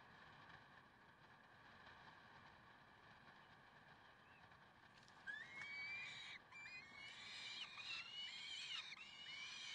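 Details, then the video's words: Peregrine falcons in Karlsruhe, 30 May 2010, 6:56. A rushing, noisy background holds alone for about five seconds, then harsh, rising, overtone-rich wails break in and continue in quick ragged bursts to the end. "Slechtvalken Karlsruhe"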